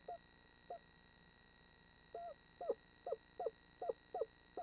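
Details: Eastern screech owl, one of a pair preparing for the spring nesting season in 2013: soft mid-pitched hooting notes, a few spaced, then quickening into a short run, over a faint electrical hum.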